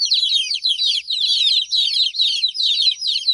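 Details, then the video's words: Chorus of baby chicks, high-pitched peeps overlapping in quick bursts that swell and dip roughly every half second. "Cute Baby Chicks Chirping Sound"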